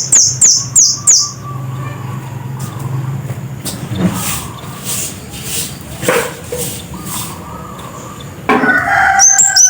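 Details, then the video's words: Scarlet-headed flowerpecker singing loudly: a quick series of four sharp, very high, thin notes, each sliding down, at the start, then a longer stretch of background noise with lower hums and a few more high notes at the end. "Kicau burung Kemade Kepala Merah "Cit Kersen" Gacor"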